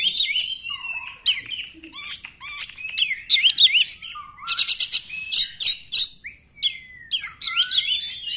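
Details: Energetic Oriental magpie-robin song for prompting other magpie-robins to sing, a long varied stream of sweet whistles, rising slurs and harsh rattling bursts, roughly three notes a second.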